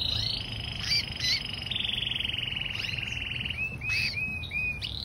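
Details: A canary in a backyard aviary gives a fast, even trill held for over three seconds, then a run of quick upslurred whistled notes, with other chirps and a low background rumble.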